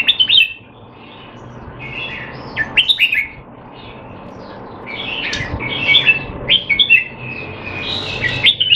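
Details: Training session of a caged Red-whiskered bulbul in Singapore, 25 December 2020, the bird reportedly not in form; jaunty warbled whistles come in several bursts, some harsher chirps, with a steady low background hum throughout.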